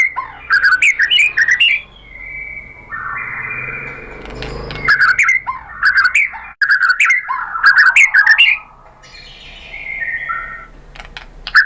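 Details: Provoking lure song of a murai batu, the white-rumped shama. Bursts of varied, loud whistled phrases and sharp chips alternate with long, level, sustained whistles and a falling slurred note, with brief pauses between phrases.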